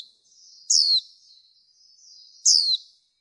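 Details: Calling female white-eye, used in training to stimulate males: two bright, shrill, falling chirps about two seconds apart, each followed by a thin, quiet trailing twitter.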